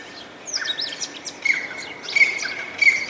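A partridge gives bright, chirping notes in short bursts about every second, over a thin, steady high whine.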